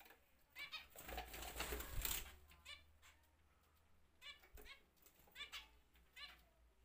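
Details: Zebra finches in a home-breeding flight cage give short nasal, buzzy calls in scattered bursts, with a loud burst of wing flapping near the start and a low indoor hum behind.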